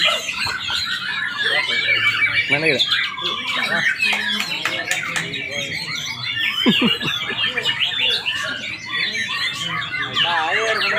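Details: Caged white-rumped shamas compete in a bird-song contest in Palembang, Indonesia, on 8 July 2023. A busy tangle of loud, varied whistled and chattering song phrases comes from many birds, with steady human chatter and voices underneath.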